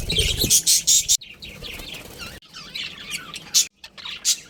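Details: Budgerigars in a colony with a breeding pair: loud, rapid harsh chirps at first, then softer warbling chatter broken by abrupt gaps.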